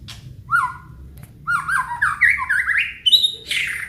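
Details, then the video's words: White-rumped shama of the Aceh type, singing a full song that shows off its repertoire. Loud, varied phrases: sliding whistles and chattering notes that climb in pitch, ending in high sharp notes. A faint low hum sits behind. "FULL KICAUAN BONGKAR ISIAN MURAI BATU ACEH"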